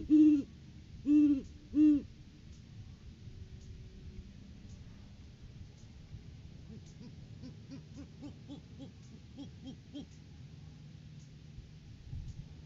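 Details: Great horned owl pair visiting the nest tree in January courting season, before February egg laying, on a live cam: three loud, drawn-out deep hoots open the recording, followed by a faint, quicker string of soft hoots.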